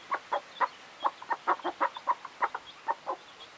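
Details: Chickens clucking: a steady series of short, clipped mid-pitched clucks, about four per second, with faint high chick peeps between them in a quiet setting.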